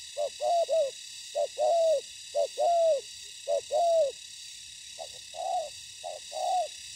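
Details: Spotted dove in ground-decoy trapping, a decoy facing combative wild doves: repeated low coo phrases, a quick double note then a drawn-out downward-curving coo, about once per second, with a constant high background hiss.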